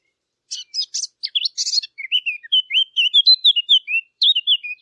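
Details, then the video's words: Eurasian blackcap singing, a hunting-lure recording: a scratchy, chattering warble of quick notes opens, then gives way to a clear, fluty run of whistled phrases, loud and clean with no other sounds. "صوت التيان او عصفور التين"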